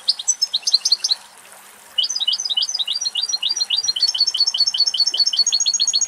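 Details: Male European goldfinch from Greece delivering a fast liquid twitter of rapid tinkling notes, a short opening burst, a second's pause, then a sustained run of repeated chirps and trills to the end.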